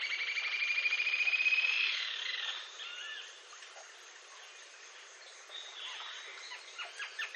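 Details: Green-tailed jacamar in Brazil: a fast series of thin, high, evenly repeated notes for about two seconds, then fading to faint scattered notes over a quiet background.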